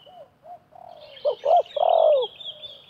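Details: A wild spotted dove and a decoy calling against each other where nets are set in a half circle: faint soft coos, then one loud phrase of two short notes and a falling drawn-out coo, with a thin high twittering behind.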